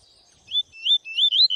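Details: A double-collared seedeater (Sporophila caerulescens) sings the lively "tui tui zel zel" song: a quick run of high, clear whistled and slurred notes, four phrases in under two seconds, with nothing else heard.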